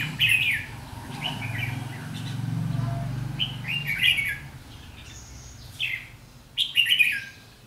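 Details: Two red-whiskered bulbuls matched in a decoy trapping fight, 7 July 2016, one singing the intimidating ché song: bright warbled phrases in bursts separated by pauses, a low hum beneath.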